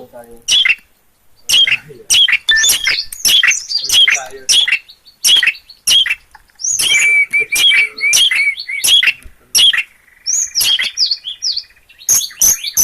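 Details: Energetic song of a long-tailed shrike recorded in Gunungkidul, Yogyakarta: irregular clusters of rasping, chattering high notes broken by brief silences, with a drawn-out whistled note midway and a steady thin tone near the end.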